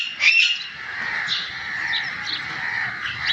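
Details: Green parrot gives one loud shrill squawk, then a softer, steady, nasal voice-like drone with faint wavering notes.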